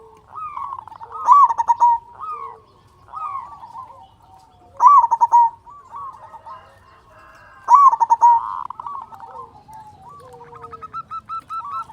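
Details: Local zebra dove, a frequent singer with a big voice, kept as a lure to make quiet doves sing. Loud cooing phrases come about every three seconds, each a quick upward note and then rapid stuttering pulses, with fainter doves behind.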